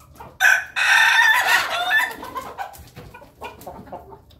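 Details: A flock of Ayam Ketawa chickens feeding together in the coop: an abrupt loud, harsh, rolling crow lasting over a second, then fading into scattered soft clucks and pecking sounds.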